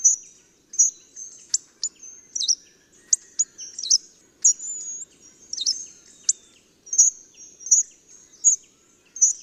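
A hawfinch gives sharp, high, clipped ticking calls, about one or two each second, with occasional thin slurred notes between them.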